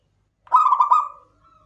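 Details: A single phrase from a local klowongan zebra dove: three or four rippling, throaty coo pulses that fade into a fading sustained tail.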